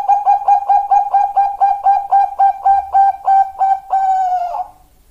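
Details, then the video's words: Female Bangkok-type zebra dove calling to a male: a fast train of about twenty short, even coos at roughly four per second, closing on one longer drawn-out note. "Master dan Pancingan Perkutut Bangkok"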